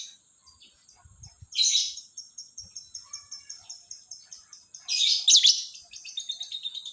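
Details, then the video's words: Lovebird singing in the morning: a long rapid trill of high, evenly spaced metallic chips bracketed by loud harsh screechy bursts, with faint low thumps early on. "SUARA BURUNG LOVEBIRD DI PAGI HARI"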